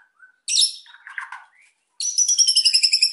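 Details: A white-rumped shama sings to provoke quiet birds, giving a high chattering burst and lower grating notes, then a fast, steady trill of bright repeated high notes to the end.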